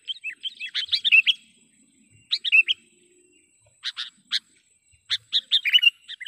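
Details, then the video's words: Sooty-headed bulbul lure call meant to provoke wild birds for trapping: a quick tumbling chatter, pauses, then scattered sharp chips and another short bubbly, whistled burst at the end. "suara BURUNG KUTILANG PIKAT gacor / pikat kutilang gacor dengan suara panggilan kutilang gacor"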